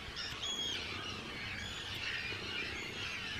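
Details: Arctic tern breeding colony, Rottumerplaat, Groningen, the Netherlands, 4 June 2023, with hundreds of birds; an unbroken wash of shrill, rasping calls, thin high whistled notes threading through the chorus.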